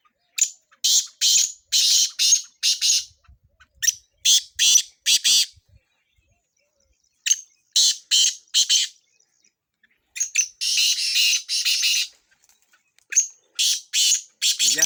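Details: Repeated harsh call phrases of a black francolin (kala tetar) from Sindh, used for chakree training: bursts of grating, buzzy notes in groups of four to six, separated by short silences over about fifteen seconds.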